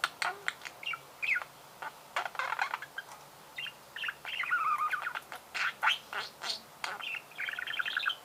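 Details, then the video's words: Budgerigar chattering in short, separated bursts of clicks, squeaks and scratchy warbled notes, with brief gaps between phrases. "Пение волнистого попугая"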